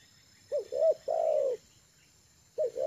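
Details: Tame spotted dove used as a lure, comfortable on the ground. One full phrase of two quick rounded notes and a long, steady, slowly falling coo, then the next phrase begins.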